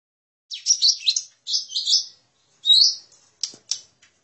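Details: Lesser green leafbird lure call used to attract birds: bursts of high, scratchy chattering phrases, then a clear rising whistle and two sharp clicks, with short silent gaps between.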